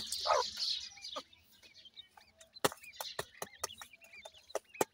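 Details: Partridge chicks playing, giving short, sharp hooked chirps repeated at an uneven pace, mixed with loud dry clicks and taps and a brief louder burst of twittering near the start.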